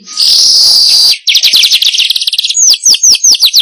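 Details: Used as a lure for wild weavers: a sustained sizzling buzz, then a fast jumble of high, crackling chirps that slows into clear, descending whistled slurs.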